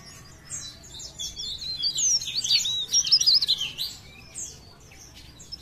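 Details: Leaf warbler from Pare Pare in full song: a dense, tumbling burst of high squeaky warbles centred in the clip, quieter before and after, over faint background noise.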